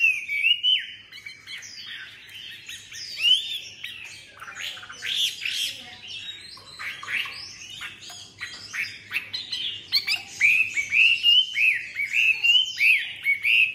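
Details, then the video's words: Caged tame Chinese hwamei singing loud whistles at the start, then a long stretch of scratchy chatter and buzzy notes, closing with a rapid series of repeated arched whistles. "MI THUẦN VÍP, CHƠI CÁNH ĐẸP NHƯ TRANH"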